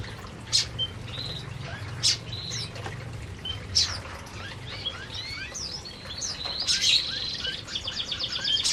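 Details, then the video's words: Canaries eating in an aviary: scattered high chirps and short upward-sweeping whistled notes from several birds, with sharp clicks, a faster rattling twitter near the end, and a steady low hum underneath. "Burung Burung Kenari Sedang Makan Di Aviary"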